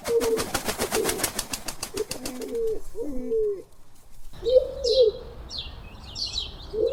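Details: Pigeon group-call coos as a flock moves. The clip opens with rapid wing flapping under low rolling coos. After a brief pause, more coos come with higher chirps from small birds in the background.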